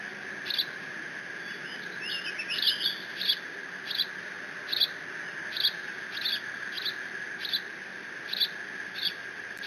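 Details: Young bald eagle alone in its Decorah nest, 30 June 2017, squeeing over a freshly delivered fish from its father; an early twittering flourish, then high squeaks repeated at a steady pace roughly every second, over a low mechanical hum.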